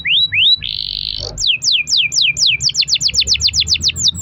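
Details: Lure-recording canary, singing steadily in a long-roll style: two rising whistles, a buzzy sustained rattle, spaced downslurred whistles, then a rapid run of repeated high sweeping notes.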